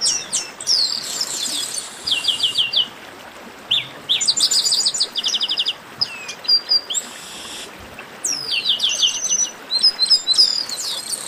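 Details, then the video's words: Chestnut-capped blackbird group chorus called 'baderna', played to warm up a bird: dense high chatter of whistles, descending slurs and stuttering trills in waves separated by short pauses, with hiss between phrases. "Baderna de Garibaldi"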